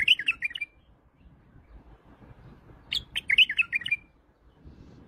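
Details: White-eared bulbul, described as an Iraqi bulbul, singing two short bursts of bubbly, warbled notes around the middle range, each phrase about a second long ending in a brief trill, separated by a pause.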